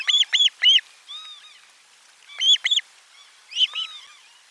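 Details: Osprey on nest 4, 12 July 2022, calling around a lunch fish delivery recorded by a nest camera: clusters of two or three loud, ringing, down-curved whistles, about four notes a second, with fainter arched notes in the gaps.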